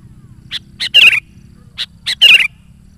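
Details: Sooty-headed bulbul singing to attract wild bulbuls and spur decoy birds. Two phrases, each of two or three short high notes building into a loud gurgling whistled flourish, over faint low hum.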